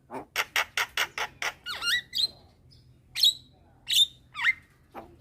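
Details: Javan myna in the daytime, a young bird calling to its companions; a run of seven evenly spaced harsh notes, then squeaky falling whistles and sharp chips.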